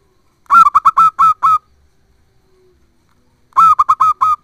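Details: Zebra dove (perkutut), a female calling to the male, used as a lure so a silent male answers. Two bursts of about six quick, rich, hooting notes of even pitch, each burst lasting roughly a second, separated by silence.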